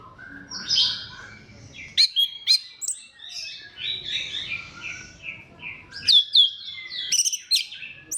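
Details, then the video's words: Song of an orange-headed thrush played to stimulate other thrushes: varied whistled phrases and sharp chirps in bursts, with a rambling warbled passage in the middle and a faint low hum behind. "KICAUAN SEBENING KRISTAL ANIS KEMBANG GACOR PANCINGAN MANJUR"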